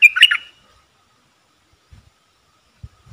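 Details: Red-whiskered bulbul kept as a decoy to lure wild birds, 23/07/64: a quick burst of whistled, chattering notes at the start, then silence broken by a few soft low thumps.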